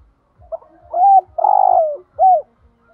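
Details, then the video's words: Spotted dove cooing in the thúc gù manner to draw calls from other doves: a soft lead note, a curved coo, a long pulsing coo, then a final arched coo, over faint regular low ticks. "tiếng chim cu gáy kích bổi"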